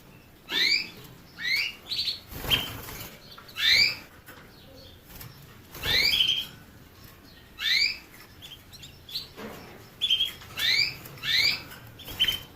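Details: Canary repeating rising, swept chirps and short buzzy notes in irregular bursts, roughly one or two per second, with clicks and fluttering cage noise between phrases.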